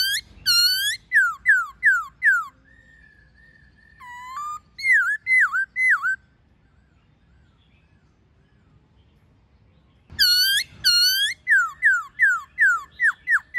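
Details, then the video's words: Many-voiced wild song of white-cheeked laughingthrush, with female calls, for coaching caged birds: rapid strings of sharply falling whistled notes, a long flat tone, wavy slurred phrases, several seconds of quiet, then another fast falling series. "Khướu Hót giọng rừng NHIỀU GIỌNG + MÁI RÒ khướu bổi"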